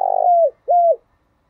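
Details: Spotted dove cooing, played as a lure for caged doves. Two clear hollow notes: a longer burred one that slides down at the end, then a shorter smooth one, then silence.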